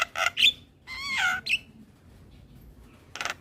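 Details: Javan myna singing in the morning, a recording meant for young mynas to copy: harsh buzzy bursts, a warbled chattering phrase near the middle, short whistled notes, then a scratchy burst after a pause.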